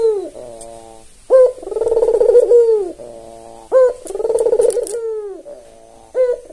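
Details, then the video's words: Active, tame albino Barbary dove, white with red eyes, used to prompt other doves to call: low rolling coos, each started by a sharp upslurred note, about every two and a half seconds. "Pancingan suara burung puter paling populer"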